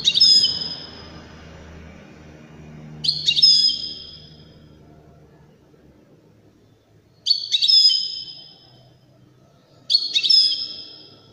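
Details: European goldfinch of the Widani type singing: short, bright, high twittering bursts, each under a second, repeated three or four times with quiet gaps of two to four seconds and faint low background hum.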